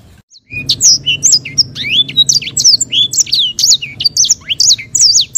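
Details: Sanger bird, an African finch kept as a songbird, singing a rich, fast warbling song of sharp, high, swooping whistles and rolling trills, with little pause between phrases; low indoor hum underneath.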